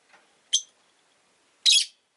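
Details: Rosy-faced lovebirds, two kept birds clustered at the entrance, make a faint scratchy note, then a sharp shrill chirp and a longer harsh, grating screech.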